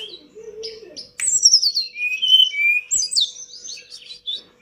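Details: Pied bush chat singing energetically, a master song for training pet birds: a low whistled note near the start, then rapid high twittering phrases with sweeping, warbled whistles that rise and fall, continuous for several seconds.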